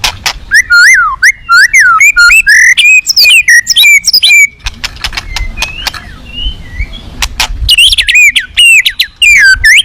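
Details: At a song contest, a white-rumped shama said to be fierce and packed with rich fill-ins delivers rapid varied whistled phrases, swooping and looping, then a short pause of faint notes before another dense burst of slurred whistles.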